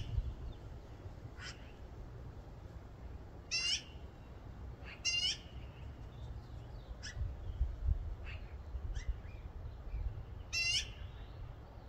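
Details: Magpies far away give their specific nesting calls at the start of the nesting season, 13 April 2024, in spring: harsh, scratchy calls in short bursts a few seconds apart, over a steady low rumble of wind or distant traffic.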